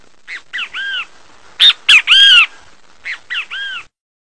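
Great kiskadee repeating its loud, harsh three-part 'bem-te-vi' three times: two clipped notes, then a longer arched, buzzy one, with quiet background.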